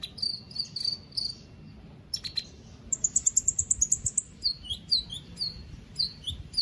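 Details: Caged white-rumped shama in an Indonesian online singing contest performs rapid high notes: a fast run of repeated sharp chips, then a buzzing trill and quick descending whistles, over low background rumble.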